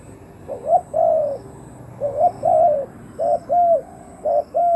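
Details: Spotted dove kept as a decoy to draw in wild doves, giving stuttered, rising short notes that run into a drawn-out level coo, four phrases in quick succession against a quiet backdrop.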